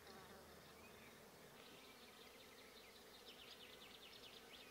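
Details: Great spotted woodpecker (Dendrocopos major) chicks, fed by adults in mid-May, keep up a continuous, high, buzzy begging chatter that swells into rapid harsh bursts, almost insect-like, over a steady background hiss.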